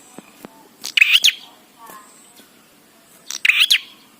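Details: Bar-winged prinia singing for birdkeepers who want their prinias to sing: two loud, scratchy chirped bursts with an upward twist, about two and a half seconds apart, with light clicks between them.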